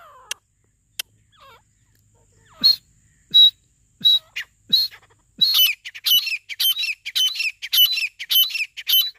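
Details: Grey francolin (teetar) calling: a few scattered clicks, then loud, harsh, high-pitched notes repeated rapidly about every half second, building into a fast rhythmic series of shrill calls.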